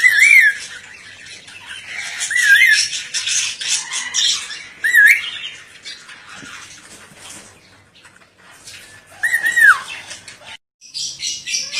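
An ornate lorikeet gives harsh, screechy squawks with brief wavering notes, about four bursts spaced a few seconds apart over noisy background hiss.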